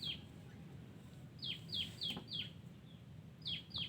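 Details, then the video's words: Wild yellow-vented bulbul, called terucuk, in a garden: one falling whistle, a pause, then four spaced downslurred notes, another pause and two more, with light clicking and low hum behind. "Terucukan liar bagus suara nya"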